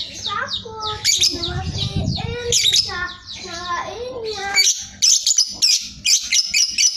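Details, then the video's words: Sooty-headed bulbul singing a ngekek-style chattering song with close gaps: mellow descending whistles and rising slurred notes give way to sharp high chattering bursts repeated about every half second, over a low rattling background. "BALIBU Ngekek Jeda Rapet GACOR KONSLET"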